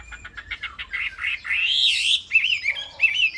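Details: Caged Chinese hwamei giving rapid chattering notes that swell into a loud, rising and falling whistled phrase, followed by shorter warbled notes.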